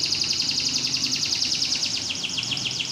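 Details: Canary in competition training holding a dense, very fast high trill of repeated sliding notes for the full three seconds.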